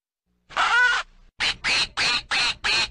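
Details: A pond duckling gives one drawn-out harsh quack, then after a short pause five raspy, clipped quacks in steady succession.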